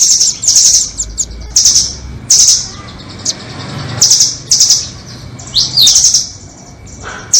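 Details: Nuthatch song played as a trapping lure, doraemon versus red-billed: thin, very high buzzy trills and sharp chips recurring roughly every second or two, with a downward-curving whistle near the end.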